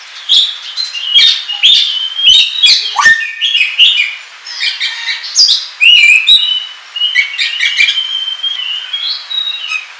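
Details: Oriental magpie-robin (kacer) delivering 'ngobra' song for trapping lures and tutoring: a continuous, varied stream of sharp chirps, chattering notes, buzzy bursts and sweet whistled phrases, loud and fast throughout.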